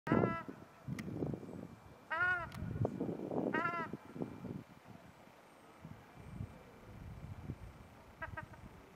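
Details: A female ruddy shelduck at Trnovski pristan, Ljubljana, on 28 January 2023, gives several nasal, honking calls that rise and fall, two loud ones a second apart, over a steady low rumble of city noise.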